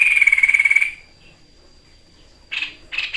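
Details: White-chested babbler on a training recording, 'tembakan maut' style: a loud buzzy pulsed trill ends, silence follows, then a few harsh rasping bursts.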